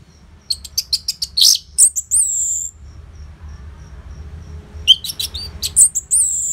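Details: Orange-headed thrush singing as a lure for caged birds: a rapid burst of sharp high notes ending in long slurred whistles, a quiet gap of several seconds, then another brief high chattering phrase.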